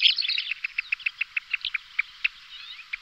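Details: A Kentish plover pair calls during aerial displays with a brisk string of short, bright, evenly spaced pips, several per second. The pips slow slightly toward the end, over a faint background murmur.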